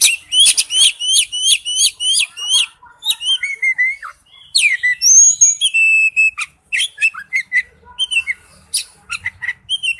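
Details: Oriental magpie-robin song used as a lure ringtone: a fast series of repeated high whistled notes with sharp upward inflections, then varied clear whistles, slurred phrases and scratchy chips.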